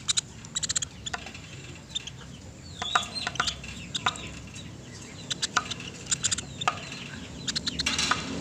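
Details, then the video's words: Woodpecker recorded cleanly as a master track for teaching caged songbirds. Clusters of dry, high chipping notes come in rapid rattles every second or so, with brief slurred whistles between them over low hum. "MASTERAN PELATUK SUARA JERNIH"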